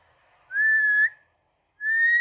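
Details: Pet talking parrot whistling: two clear, steady tonal whistles, each about half a second long, gently rising at the end and separated by a short silence, in a quiet room.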